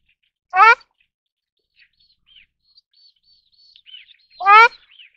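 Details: Ruddy shelduck (Tadorna ferruginea) gives two loud, nasal, honking calls about four seconds apart, each short and rich in harmonics, with faint high chirps from other small birds in between.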